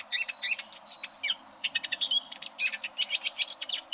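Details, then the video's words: Eurasian siskin song for coaching competition canaries: clusters of fast, high chirps and short trills with thin whistled slurs, broken by a brief pause midway. "Suara Burung Eurasian Siskin Untuk Masteran Kenari Lomba"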